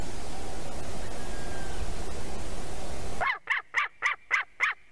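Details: White-tailed eagle visiting its nest at Durbe, Latvia, at 6:34 am on 2 September 2020, filmed by a nest camera; loud rushing noise for three seconds, then seven sharp, evenly spaced yelping notes, about four per second.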